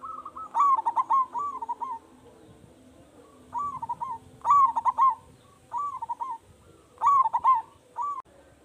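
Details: Local zebra dove calling loudly as a lure for other doves to reply: repeated soft trilling coo phrases, each of several quick fluttering notes, given in groups about every one to two seconds, with low background hum.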